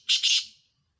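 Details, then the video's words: Black francolin (kala teetar) during a competition between two birds: one harsh, buzzy note lasting about half a second, made of two rasping pulses that fade out, against a quiet background. "Two Black Francolin Competition | Kala Teetar Muqabala | دو کالا تیتر کے درمیان مقابلہ"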